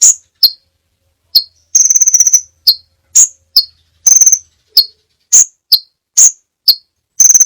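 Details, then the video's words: Crimson sunbird (Aethopyga siparaja) giving a varied song of very high, thin sharp chips and brief buzzy trills in an irregular, lively series, with no other sounds. "masteran burung sepah raja banyak variasi ( suara audio kicau burung )"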